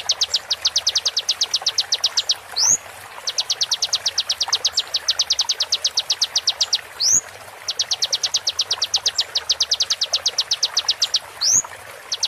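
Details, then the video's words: Tutor recording of a konin for songbird training, with sharp 'tembakan' shots: three long bursts of rapid, piercing repeated notes, each ending in a rising slurred whistle, with faint background hiss. "MASTERAN KONIN FULL ISIAN TEMBAKAN TAJAM"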